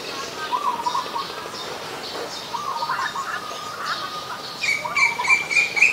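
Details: Adult zebra dove in Ubon Ratchathani, Thailand, recorded 24 February 2022, giving several short, rapid, rolling trilled coos at steady mid pitch, with high chirps from other birds and a louder whistled bird near the end.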